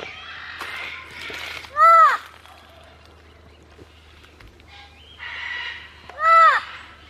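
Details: Two loud harsh arched squawks roughly four seconds apart from a rescued parrot at a sanctuary, with softer chattering and background noise between them.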